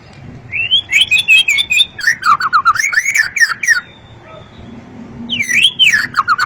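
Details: Long-tailed white-rumped shama singing varied loud whistled phrases, rising and falling slurred notes mixed with sharp high clicks and ticks, then a pause before a final looping whistle.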